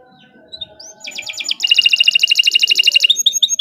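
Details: Canary singing a long master song meant for teaching other birds: after a few thin notes, a rapid high buzzy trill of evenly pulsed chirps runs steadily for about two seconds, ending in spaced notes.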